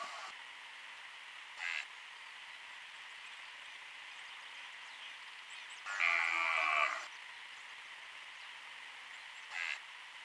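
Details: Cocoi heron recorded by a trail camera: one harsh, hoarse croak lasting about a second, with two short fainter rasps before and after, over a steady electronic hiss.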